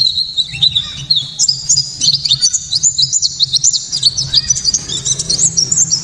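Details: White-eye pours out a loud, sharp, clear, fast twittering song of bright chirps and trills, continuous without pause, over a faint low hum; used as a lure and song tutor for caged birds.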